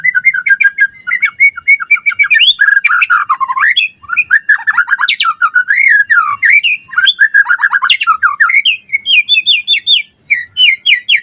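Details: Long, continuous White-rumped shama singing performance: dense rambling phrases of warbles, chattering notes, swooping whistles and brief harsh sounds, pouring out without break and ending in repeated clear rising notes.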